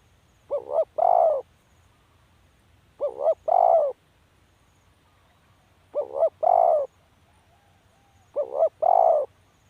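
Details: Repeated mellow call of a spotted dove: each phrase is a short double coo then a sustained, slightly falling coo, four phrases spaced about two and a half seconds apart, otherwise near silence.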